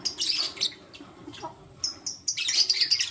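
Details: Lutino lovebirds, a male and two females, morning chirping: scratchy high bursts at the start, a lull, then a long, dense run of shrill, buzzy chirps to the end.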